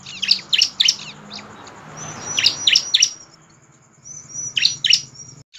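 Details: Bar-winged prinia giving energetic lure song to get other prinias singing: groups of three or four sharp, high, downslurred chirps, with thin rising whistles before some groups and a low hum between them.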